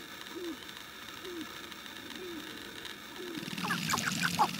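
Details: Sharp-tailed grouse during courtship display; soft low hooting notes recur about once a second, then a burst of louder, higher clucks and chatter breaks out near the end.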